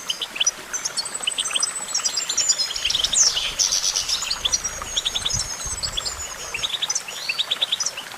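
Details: Goldfinch song: fast high twittering with rapid repeated chips, short trills and a long thin whistled glide, in steady phrases over faint background hiss.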